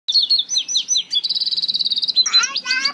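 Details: African citril mule songbird singing a fast, high warble of sweeping whistled notes, then a rapid even buzzy trill of about twenty pulses, ending in a burst of harsher chattering notes.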